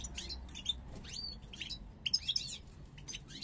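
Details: Two parva European goldfinches from 2022 coming into breeding condition, both showing snake-shaped heads; quick, high, sliding chirps and tinkling notes in close succession, a lively twitter.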